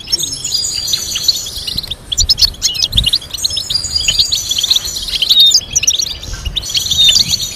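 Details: European goldfinch song for training captive birds to sing, a fast run of bright twittering notes and liquid trills, with a few longer whistled tones woven through the 7-second phrase.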